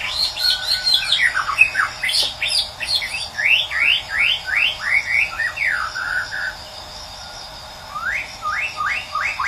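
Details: Morning lure of white-rumped shama song meant to restart a bird that has stopped singing: a string of quick rising and falling whistled strokes, a brief gap, then more strokes, with constant hiss behind.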